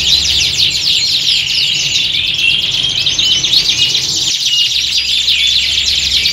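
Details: Group of canaries in full song, meant as contest-style training audio to make birds bolder: thick layers of high rolling trills and quick slurred chirps, steady and loud, low hum fading near the end.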